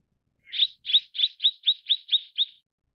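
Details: Mrs. Gould's sunbird, also called tonghuafeng, calling: a quick series of eight sharp, high chirps around two to four kilohertz, evenly spaced about four per second, each note slightly falling; no other sounds.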